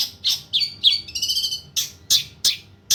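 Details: Long-tailed shrike singing to tutor other birds, mixing sharp scratchy notes with a brief warbling, whistled phrase in the middle, then more harsh chirps spaced about every third of a second.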